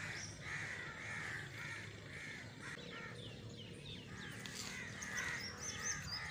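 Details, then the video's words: Harsh crow caws repeated in a quick uneven series, roughly one every half second, with a brief pause in the middle before calling resumes; faint higher chirps and steady low background rumble. "crows || crowing sound"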